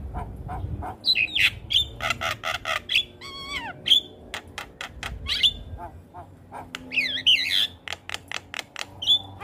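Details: Song of a Javan myna, used to train young mynas, with loud whistled notes, harsh squawks and a quick descending series of clicks, plus a steady low background hum.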